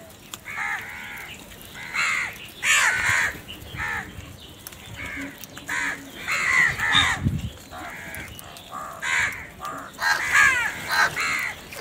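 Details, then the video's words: Crows squabbling over food give a run of rough, nasal caws in irregular bursts, several birds overlapping at times, with brief quieter gaps and a steady low rumble beneath. "Crow Fight Video | crow love food | crow fighting scenes video | crow sounds naturally"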